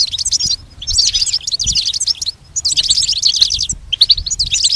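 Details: Goldfinch song played for training a pet goldfinch: bursts of rapid, high, liquid twittering and tinkling trills in three long phrases separated by brief pauses, with a faint low rumble underneath.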